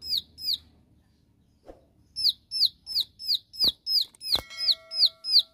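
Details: Bar-winged prinia, singing the shooting-style 'tembakan' that provokes rivals: two high falling notes, a pause, then a steady string of about ten quick downslurred whistles, with a couple of sharp knocks.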